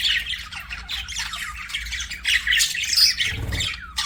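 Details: Budgies chirping and squawking in a dense, scratchy warble with high squeaky notes; a brief low thump is heard near the end.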